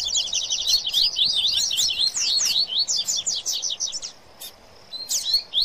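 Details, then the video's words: Baderna song of an excited Rusty-collared seedeater among papa-capim, crowded rapid high slurs for four seconds, a pause, then a few isolated sharp notes. "Baderna de Coleiro e Papacapim Foguiando"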